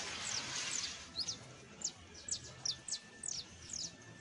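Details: Early song of a young saffron finch, a brief scratchy burst followed by spaced, sharp high chirps, each roughly half a second apart, in a quiet setting.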